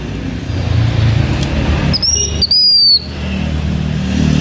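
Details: Blue-winged minla, used as a decoy singer by H'Mông people, gives one high clear whistle: a short upslurred note then a longer level-to-falling note, set against steady low rumbling background noise.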